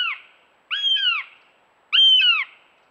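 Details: A female northern goshawk fledgling gives loud, harsh, whining two-part squeals, each about half a second long, repeated roughly every second. No other sounds are heard.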